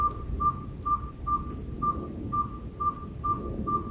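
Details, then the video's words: Unknown owl heard outside a home: nine crisp, monotone whistled notes repeated at an even, brisk tempo, over a low murmur. "Who hoots for you?"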